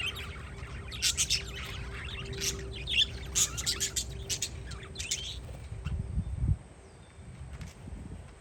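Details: Parakeets chirping outdoors on a windy day: a busy run of sharp, high chirps and squeaky notes packed into about five seconds, then quieter, over a steady low wind rumble and a faint hum.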